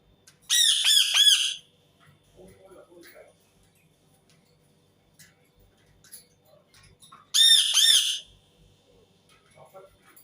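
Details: Loud grating screeches from an Indian ringneck parakeet. Two bursts of rough, harmonic-rich squawking come several seconds apart, with faint soft chatter and small noises in between.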